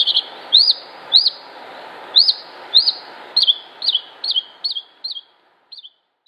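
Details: Northern mockingbird song: a sharp, clear, upslurred whistled note repeated about nine times at an even pace, then shorter, softer variants trailing off. The phrase is high and bright, with faint background hiss.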